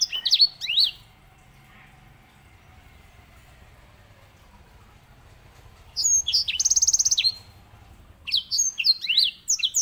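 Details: White-rumped seedeater (grey singing finch) singing a master song used to train canaries: short bursts of fast, high twittering with sweeping notes at the start, middle and end, separated by quiet gaps over a faint low hum.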